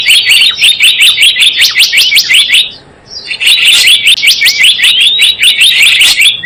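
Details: Java sparrow lure call for bird trapping: fast, continuous high chirping in two long bursts split by a short pause near the middle.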